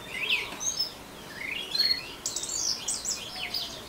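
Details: Orange-headed thrush giving ngeriwik song, a quick string of high, sharp chirps and thin whistled slurs, several notes bunched closely in bursts, over low background hiss.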